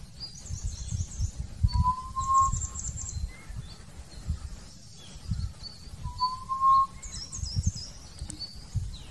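Hill partridge giving two low, drawn-out whistles, each rising slightly, about four seconds apart; high twittering from small birds and a steady low rumble behind.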